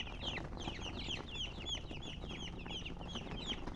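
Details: Baby chicken chicks peeping: clear, high slurred whistles dropping in pitch, several calling at once in a brisk irregular stream, low hum underneath.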